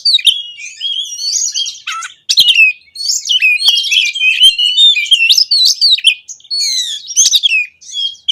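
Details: Kacer, or oriental magpie-robin, singing a lively varied song used to lure quiet birds into singing: rapid whistled phrases, slurred sweeps and scratchy bursts packed closely, loud and unbroken with short pauses.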